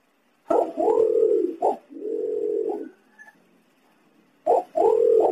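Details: Green imperial pigeon, recorded for use as a lure: long, deep humming coos lasting about a second each, broken by short sharp accents, then a pause before another coo begins.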